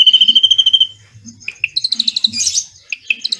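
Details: Drongo song in the 'cililin' style, used as tutor material for magpie-robins: a short rapid trill of high notes cuts off, followed by varied sharp chips, quick buzzy bursts and scattered high whistles.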